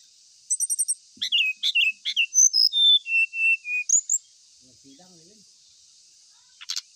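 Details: Ashy tailorbird delivering a fast series of sharp high whistles that step down in pitch, roughly a dozen notes in three seconds, then quiet with faint hiss.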